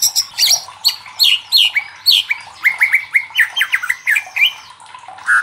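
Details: White-rumped shama singing to provoke rivals into song, a steady string of clear whistled and buzzy notes, each phrase sliding, about three per second.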